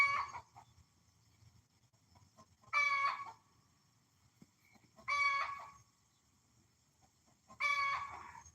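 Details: A hen, which the owner suspects is laying an egg, lets out loud, harsh, drawn-out squawks about every two and a half seconds, with a faint low rumble in between.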